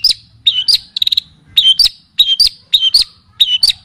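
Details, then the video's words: Cendet or pentet, the long-tailed shrike, in a training song: paired, bending chirps alternate with a quick rattling burst of four short notes, repeated in clusters over a quiet background. "Masteran dan pancingan bunyi burung cendet / pentet"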